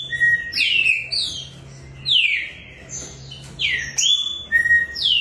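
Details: Green-winged saltators (trinca-ferro), competition singers readied for the 2024/25 season, trade loud, rich whistled phrases. Each is a slurred note sweeping down from high to mid pitch, coming every second or so over a faint low hum.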